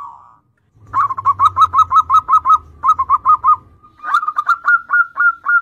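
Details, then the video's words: Zebra dove in active song, used to lure untrained young doves: one soft trill, then two quick runs of short mellow cooing notes and a final brighter series, over a low rumble. "PERKUTUT GACOR syahdu buat Kelangenan Pancingan Perkutut Bahan"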